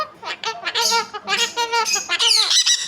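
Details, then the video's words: Talking parrot voicing a quick run of harsh, nasal, speech-like syllables, rising in pitch and ending in a shrill, squawking burst, with Hindi speech nearby. "Talking parrot"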